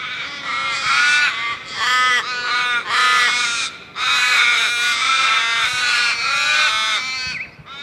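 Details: Loud flock of crows, overlapping grating caws in bursts, a brief lull near four seconds, then the raucous chorus resumes.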